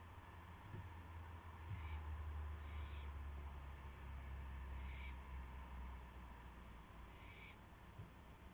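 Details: Owl at the nest at 1:00 AM on 24 March 2016 as prey, a gopher, is brought in; four faint, short, raspy hissing bursts spaced unevenly over steady low hum.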